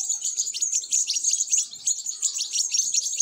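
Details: European goldfinch young being fed, giving an insistent, rapid-fire chatter of high, piercing chirps with no pauses.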